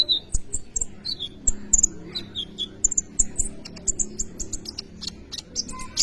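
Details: Kolibri ninja sunbird, recorded as lure material for training birds: rapid high-pitched twitters, short downslurred whistles and sharp ticks in quick bursts over a steady low hum.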